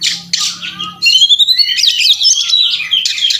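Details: An Oriental magpie-robin sings in fighting mood with a mimicry-packed tutoring song: a buzzy start, then long rising whistles and rapid wavering high notes in a continuous burst, with a faint low hum underneath.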